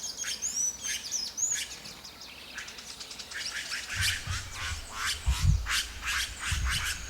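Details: Red-rumped cacique (Cacicus haemorrhous) in the Atlantic Forest at Lídice gives loud, liquid whistles and harsh chattering notes in quick bursts, with other birds calling and low rumbling thumps in the background.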